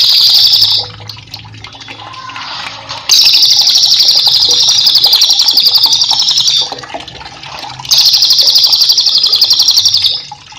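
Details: Cililin delivering repeated bursts of song for cage-bird training: three loud, fast rolling trills of high notes, each lasting one to three and a half seconds, separated by quieter chirping gaps.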